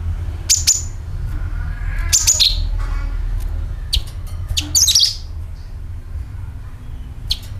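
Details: Sooty-headed bulbul call used as a lure: bright, high chirps in small bursts, some with quick downslurred trills, spaced unevenly over a quiet low rumble.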